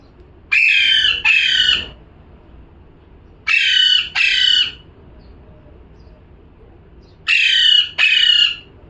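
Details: Parrot repeating loud, scratchy paired squawks, three doublets spread across several seconds with quiet gaps.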